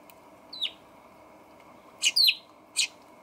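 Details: Eurasian tree sparrow on a balcony, recorded 28 October 2020 by a camera: short sharp chirps with a descending sweep, one at about 0.6 seconds, then a quick cluster of three near 2 seconds, under a low steady background hum.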